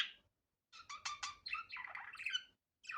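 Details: Budgerigar, unedited natural sound: a brief chirp, then a quick series of buzzy notes running into a rasping, wavering chatter, fairly soft.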